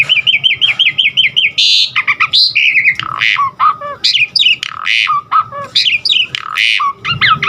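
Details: Asian pied starling singing to encourage other starlings to sing: a fast wavering trill of repeated notes, then harsh squawks mixed with quick whistled slurs in a busy, scratchy sequence.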